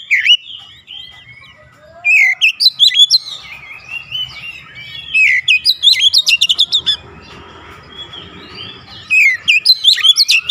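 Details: Oriental magpie-robin singing hard in gacor fashion with its repertoire of phrases: three bursts of looping whistles and harsh rapid chatter, separated by quieter stretches with soft background noise.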